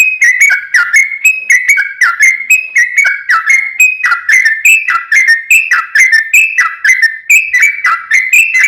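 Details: Yellow-vented bulbul singing a long rapid-fire song, used as a lure to make other bulbuls answer: a continuous string of bubbly whistled notes that rise and fall, delivered in quick chattering phrases with no pauses.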